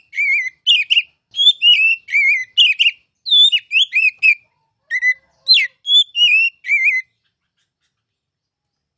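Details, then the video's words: Oriental magpie-robin, a kept bird used to tutor others, singing in the ngeplong style: about seven seconds of brisk whistled notes, slurred up and down, in short clustered phrases, then quiet. "KICAU MASTERAN KACER CALON JUARA!!!"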